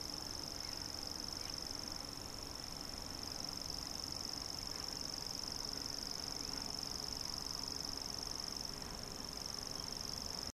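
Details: A common grasshopper warbler at Tabulový vrch, Olomouc, on 27 June 2015, reels without a break, a high, dry, insect-like trill held at one pitch, over a low rumble of background noise.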